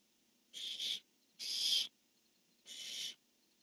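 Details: Barn owl calling exchange between male and female, 10-1-15: three rough screeches in quick succession, the first slightly broken in two, each about half a second, shrill and hissing with short pauses.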